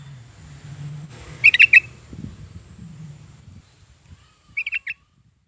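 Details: Yellow-vented bulbul used to lure pet birds into singing: a quick four-note bubbly burst, low murmuring noise, then a softer three-note phrase after a silent gap.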